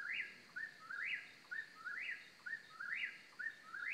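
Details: Close series of whistled eastern whip-poor-will phrases, central North Carolina; each has a quick short note followed by an emphatic rising-then-falling whistle, about one phrase per second, with a faint steady hum behind.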